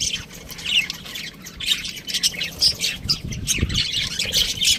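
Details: Budgie chirps and harsh squawky notes running almost continuously at high pitch, with a brief low thump or knock near the end.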